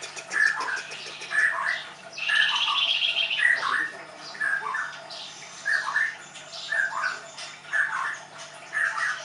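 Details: Leuser white-rumped shama, a caged bird kept at a training school in Tangerang, Indonesia, repeating a short bright two-part whistled note about once a second. A steady buzzy hiss runs behind it.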